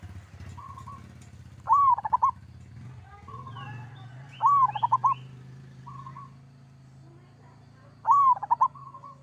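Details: Local zebra dove sings three short kerot phrases, each a bright arched coo with quick pulses, spaced several seconds apart over a constant low hum, with soft coos and faint chirps between.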